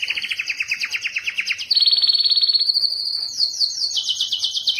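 A Timbrado canary sings a continuous run of fast rolling trills, shifting from lower bubbling notes to a higher, ringing roll and back down at the end.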